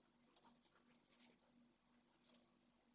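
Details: Nearly fledged pallid swift chick begging as its mother feeds it at a nest in a school colony, Jerez de la Frontera, Spain, second brood. Three long, high, buzzy hisses follow one another with brief gaps.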